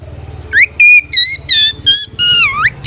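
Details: Loud, fully singing white-rumped shama in a provoking fighting song meant to make other shamas answer: clear whistled notes sliding up and down, some looping, in bursts about every third of a second, over a faint low engine rumble.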